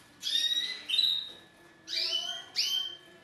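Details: Male canary courting a female, with song aimed at bringing her into mating position: two drawn-out whistled phrases, then two quick upward-sweeping notes.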